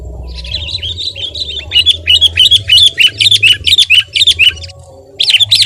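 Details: Energetic gacor song of a Sooty-headed bulbul, meant to tutor and provoke other birds: a quick series of sharp, down-slurred whistled notes, roughly three per second, ending in a loud burst, with a faint low hum throughout.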